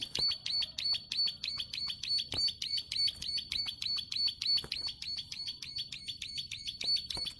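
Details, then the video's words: Plain prinia delivering its long clicking song, bright high clicks repeated around three per second in a steady chain, with occasional soft thumps and faint low background noise. "Ciblek sawah gacor ngeklik panjang"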